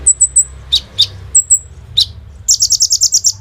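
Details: Kolibri ninja sunbird singing with 'bren rambatan AK-47' fill, recorded by phone as a lure: thin high whistled notes and sharp downslurred chips, then a rapid burst of buzzy high trill notes.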